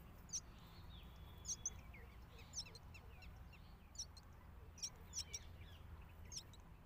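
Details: Hungry myna chick calling loudly while being fed: thin, piercing high chirps spaced irregularly, roughly nine over seven seconds, sometimes in doublets, with a soft steady low rumble and faint other chatter behind.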